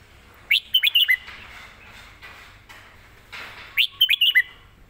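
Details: Live song of a caged red-whiskered bulbul, quick and richly phrased: two matching bursts of four or five sharp, liquid whistled notes about three seconds apart, with soft rustling between them.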